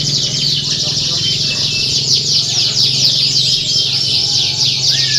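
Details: Canaries singing at a songbird competition, for training contest birds: a continuous high, rapid rattle of trills from many birds, ending in a short rising whistle, over low background rumble and voices.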